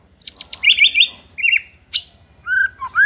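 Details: Actively singing white-rumped shama, its song meant to provoke rival shamas: a rapid burst of high buzzy trills, a short warbled phrase, then sliding whistled notes with sharp chips between.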